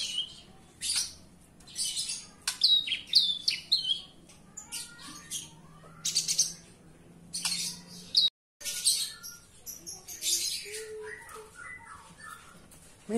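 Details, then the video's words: A Horsfield's bush lark singing indoors gives a rapid, varied run of high chirps, trills and buzzy notes in bursts, with a faint low hum behind it. "Branjangan dalam ruangan super gacor"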